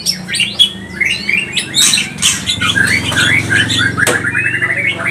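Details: White-rumped shama (murai batu pastol) singing hard to stir up other shamas: fast jumbled whistles and chattering notes, a sharp click near four seconds, over a buzzing low hum.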